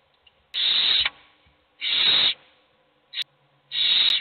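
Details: Hungry owl chicks begging as only one gets food: three long rasping hisses plus a short clipped one, with faint sharp clicks between them.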